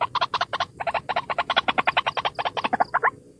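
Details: One White-breasted waterhen giving a lure call: hurried, uneven series of throaty pulsed notes, a brief break after the first few, fading at the end.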